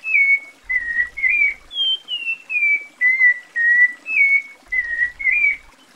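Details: A Cocoa Thrush (Turdus fumigatus, sabiá-da-mata), a popular Brazilian bird, sings a clear, whistled phrase of about a dozen short slurred notes between two and three and a half kilohertz, some rising, some falling.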